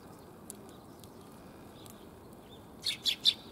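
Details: Sparrows coming for food on 1 January 2022, on the return walk: after near silence, three loud, quick high chirps close together in the final second.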